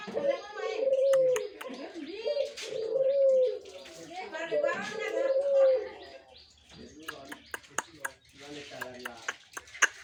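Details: Adult caged Barbary dove, ready to be a master bird, gives three sustained, level coos about two seconds apart, followed by sharp clicking sounds and faint voices.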